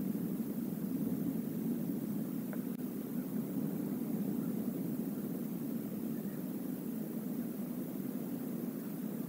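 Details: Steady rushing stream water and low rumble, with no clear animal call heard.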